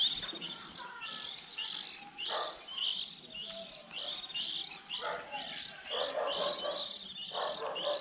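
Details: Chorus of young white-eyes early in the 2020 season, used to lure birds into traps around April as fledglings leave the nest; continuous high-pitched squeaky chirping from many birds, with brief lower notes in bursts.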